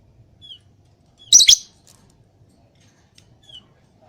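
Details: Lovebird calling freely: a single sharp, shrill burst of rapid squawky notes lasting about a third of a second, with a few faint short chirps before and after in otherwise quiet surroundings.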